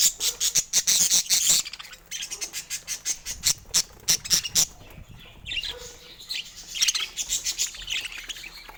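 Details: Pet budgerigars playing with toys in the morning give rapid, clicking, high chatter, short notes repeated several times a second in long runs with brief pauses between runs.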